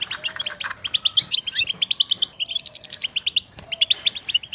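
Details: Goldfinch contact chatter announcing presence, played to make a single caged male sing hard: rapid, evenly paced bright chips form a continuous lively twitter, with a thin soft whistle in the background.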